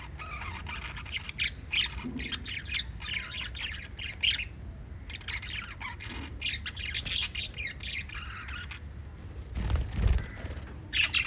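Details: Pet lovebirds chirping: harsh, squawky bursts in quick clusters, loudest around two to four seconds and again near seven, with a low thump near ten seconds and faint low hum underneath.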